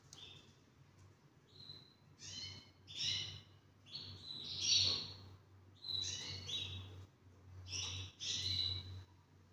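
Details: Two-year-old half-frill male canary, described as a Spanish Timbrado and ready to breed, sings bright, metallic trilled phrases of high notes in bursts every second or two, over a low steady hum.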